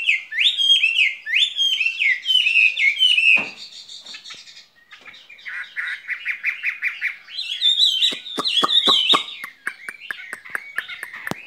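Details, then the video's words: Caged skylark in long spring song. Repeated rising whistled phrases lead into a softer buzzy chatter, then a burst of bright warbling mixed with a rapid series of sharp clicks. "Chim quý ở lồng son ca bản tình ca mùa xuân"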